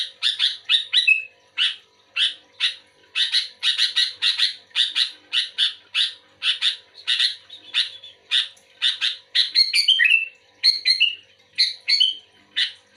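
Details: Sooty-headed bulbul singing actively in response to another bulbul: a long, fast series of bright chattering notes, some grouped in quick runs, broken by several short descending whistled phrases near the end.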